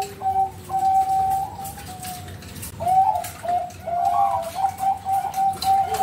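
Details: Bred Bangkok zebra dove at a farm in Bekasi, West Java, Indonesia, performing a lure song: two long steady cooing tones, a short pause, then a burst of quick warbling coos in an even pulse.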